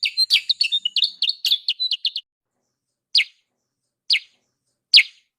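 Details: Lure call of a sooty-headed bulbul for attracting wild birds: a quick burst of clipped, high chirps for two seconds, then silence broken by three single, sharp downward chips about a second apart.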